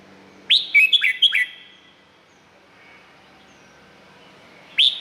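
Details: Red-whiskered bulbul, Thailand, delivers a quick phrase of four sweet, slurred whistles, then a pause, and one more note at the end, over a light background hum.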